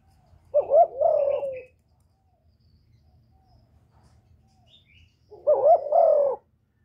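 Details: Spotted dove, a kept decoy bird, calling and cooing to stir newly caught doves into calling. Two low, hoarse, two-part cooing phrases, each about a second long, separated by roughly four seconds of quiet, with a faint low hum beneath.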